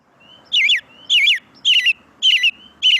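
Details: American robin (Turdus migratorius) in a Lexington-area backyard singing its caroling song: five short, rich warbled phrases with varied rising and falling notes, about two a second, arranged in different orders.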